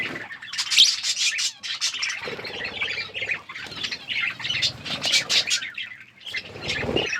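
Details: Budgerigars in an outdoor aviary give bursts of sharp chirps and squawks in loose clusters, with short lulls between bursts and some rustling or wing-flapping underneath.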